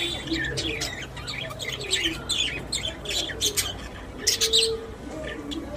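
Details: Happy pet budgerigars in a cage chatter with rapid high chirps and buzzy warbled notes, bursts clustering around the middle and end, over a low background hum.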